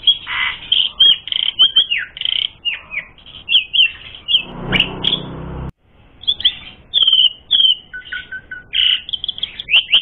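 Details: Asian pied starling song, played as a lure to provoke fighting: a rich, fast stream of varied whistles, sharp chirps and slurred notes, broken midway by a short burst of harsh rasping noise and a brief pause before the chatter resumes.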